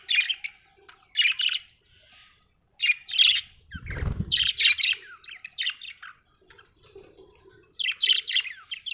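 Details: Budgerigar from Australia chattering in repeated clusters of high, scratchy chirps and short warbles, with brief pauses between bursts and one low thud midway.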